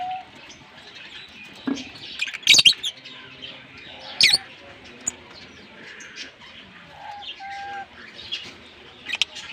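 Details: A green Fischer's lovebird pair chirping and singing, kissing: dense high twittering broken by loud harsh squeals near the start and middle, with quieter chatter between and a faint low hum beneath.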